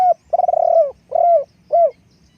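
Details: Close, loud spotted dove decoy bird: a long rolling, pulsing coo sliding downward, followed by two shorter arched coos that drop in pitch.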